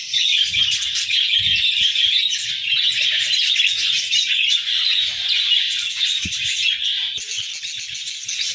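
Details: Several budgerigars chirping together in the morning: a dense, continuous chatter of high, scratchy warbles and quick tweets that overlap without pause and hold a steady loudness throughout.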